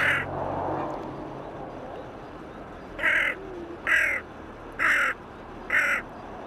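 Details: Hooded crow by the Elbe at Pirna, seemingly alone among waterbirds and perhaps calling for others of its kind: four harsh, hoarse caws about a second apart after three seconds of quiet background.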